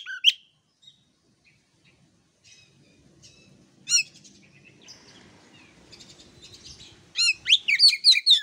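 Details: Oriental magpie-robin, used as a master recording to stimulate magpie-robins whose voice is not yet full: scattered sharp whistled and chirped notes with long pauses and a faint low rumble, then a quick burst of loud varied whistles at the end.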